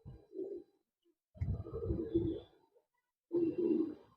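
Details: Domestic pigeons, a setting pair of tournament flying birds from Bangalore, Karnataka, giving low, throaty cooing in three bursts of about a second each, separated by short silent pauses.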